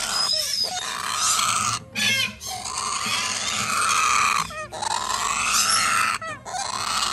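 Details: Major Mitchell's cockatoo chick begging: long harsh, buzzy rasping calls held for over a second each, broken by short gaps with brief curved squeaky notes, in an indoor setting.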